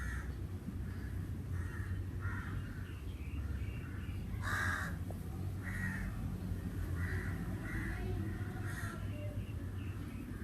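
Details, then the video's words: Crows in summer giving repeated harsh caws, one louder close call near the middle among fainter distant ones, with steady low background rumble throughout. "sounds of the Crow"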